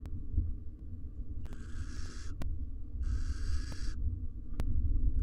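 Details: Wild male and female barn owls courting in a research nest box beside their four nestlings: two harsh, hissing screeches of under a second each, over a low steady hum and faint clicks.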